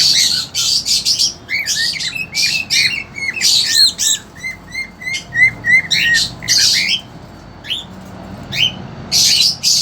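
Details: Caged cockatiels indoors, a young two-month-old female and a male trying to mate, give harsh squawk bursts followed by an evenly spaced row of short rising chirps, then more scattered squawks.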